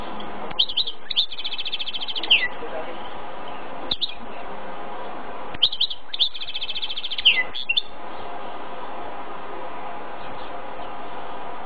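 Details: A male goldfinch-canary mule sings two bright, twittering phrases with fast buzzy trills and rising notes, a few seconds apart, over a steady indoor hum.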